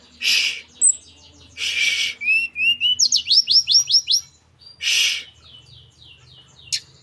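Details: Young blood-breasted flowerpecker from Merapi practising its song, a rapid series of piercing, high downward-sweeping notes after short rising whistles, interrupted by three loud rustling bursts.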